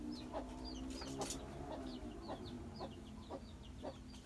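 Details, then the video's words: Lovebird colony chattering: many short, shrill, high chirps and squeaks overlap in a busy, continuous stream, with soft lower clicks and a steady background hum throughout. "Love bird koloni bagus buat terapi love bird"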